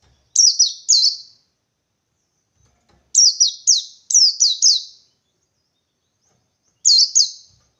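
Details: White-eye from the wild, seeking a rival, produces clusters of high, piercing down-slurred chirps, two to six per cluster, spaced by silences of one to two seconds.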